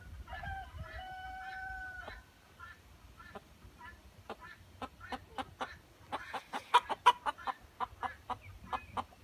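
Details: Pair of Ayam Cemani hens giving a drawn-out harmonic call, then a run of sharp, rapid clucks that grow louder near the end.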